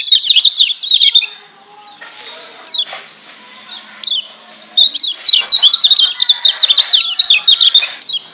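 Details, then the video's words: Lombok white-eye, locally kecial kuning, singing a 'ngotot' tutor song used to provoke listening white-eyes: fast high chattering trills, a quieter gap with scattered thin notes, then a long lively run of warbled twitters. "Masteran Kecial Kuning Joss NGOTOT Ampuh Bikin Kecial Yg Denger EMOSI KEPANASAN‼️"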